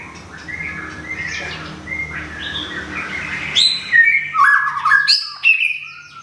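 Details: Recently relocated caged white-rumped shama in Thailand, plumage almost regrown after moult, opens with soft warbling, then bursts into loud, sharp whistled notes and quick chirpy phrases in clipped bursts.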